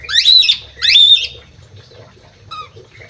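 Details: Crewet in an aviary giving two rapid loud, harsh rasping squawks half a second apart, followed by a thin short whistle and faint soft notes, over a low steady hum.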